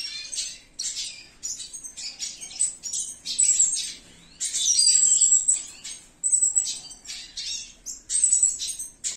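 A Red Siskin sings a fast, continuous twittering song of high buzzy trills and thin whistled notes, in bursts with brief pauses.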